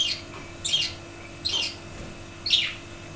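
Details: Budgerigars in a wooden cage, after the death of the male father budgie: four scratchy, descending chirps, each roughly a second apart, clear against a quiet indoor background.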